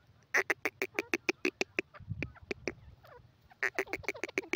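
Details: Grey francolin (teetar) from a breeding setting calling: a fast series of harsh, clipped, nasal notes repeated several times a second, pausing briefly midway before resuming in another quick burst; some low rumbling background noise.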